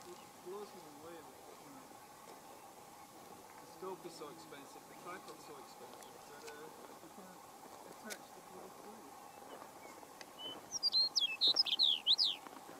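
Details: Chestnut-collared longspur at Pawnee National Grassland, Colorado, USA, on 29 April 2018, singing one short, sweet, warbled phrase of high tumbling notes near the end, after quiet wind and low background murmur.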